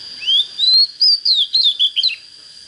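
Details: White-rumped shama, described as just coming into song condition with a proper voice, giving a run of clear whistled notes that rise and slur between high pitches in quick separate phrases, with a steady high background tone.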